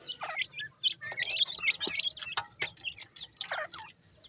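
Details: Hungry young francolin chicks, a Sindhi teetar brood from Pakistan, begging for food: a dense run of thin, high chirps and short rising peeps that overlap and repeat rapidly, with a few dry clicks between them.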